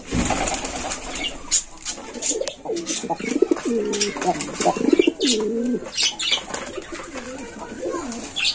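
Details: Young Indian Lotan pigeon, six days old, kept on a farm, giving low cooing calls with wavering, looping pitch in short bursts, amid scattered clicks, wing flutters and room noise indoors.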